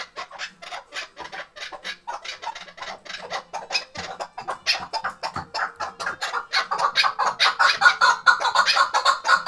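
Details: Chukar partridge from the Khoja Mumin salt mountain, leg-tethered as a hunting bird. Scratchy clucking notes come quietly at first, then grow louder and quicker, well over two per second, by the close.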